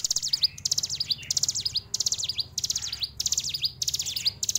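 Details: Hill prinia in fighter style repeating bright, sharp phrases of quick falling and rising notes, roughly one phrase every 0.7 seconds, loud and steady against a quiet background.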